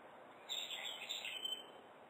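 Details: Brown-eared bulbul calling on a morning of 17 October 2011, heard on waking: a bright, high whistled phrase of about one second, slurred and slightly falling, over a steady low background hiss.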